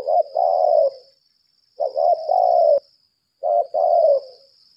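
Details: Spotted dove used as a decoy, 'lambung kuk' type, calling in laga style: three separate low coo phrases about 1.7 seconds apart, each a short note and then a long rough coo fading downward. Faint steady high hum.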